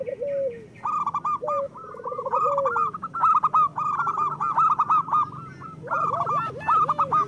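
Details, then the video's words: Group of local zebra doves, sound used as a tutor for lazy singers. Soft rolling coos open, then a dense run of clipped, rhythmic coo notes from several birds fills the rest. "Perkutut lokal gacor Masteran Perkutut Suara Kristal"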